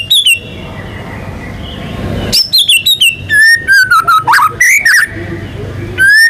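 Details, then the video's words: White-rumped shama, a national contest champion, in full song with mimicked phrases: descending whistles, then a rich run of rapid chirps, slurred whistled notes and sharp high notes, ending on a clear rising whistle. "MURAI BATU GACOR MANCING BURUNG LAIN BUNYI‼️ MATERI ISIAN NGEROL NEMBAK IRAMA LAGU LENGKAP ISTIMEWA"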